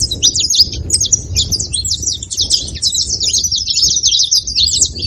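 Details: Rapid high-pitched twittering from a saffron finch, growing into a tight, continuous trill of chirps midway. Soft low background noise throughout.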